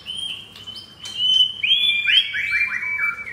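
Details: White-rumped shama, a captive F4-bred mottled-chested (blorok) bird in Jakarta, Indonesia, with rough-material (materi kasar) song: a long steady whistle that breaks into quick falling and rising whistled notes.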